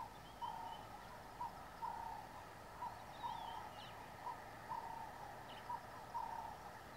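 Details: Burchell's coucal (Centropus burchelli) near Satara Rest Camp, Kruger National Park, gives short, hollow hooting notes, singly and in pairs, roughly every half to one second; faint high chirps from other birds behind.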